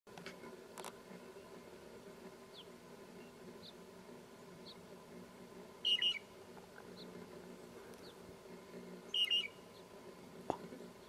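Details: Loggerhead shrike (Lanius ludovicianus) in southeast Arizona gives two short, squeaky high calls about three seconds apart, over a low steady rumble and faint chirps from other birds.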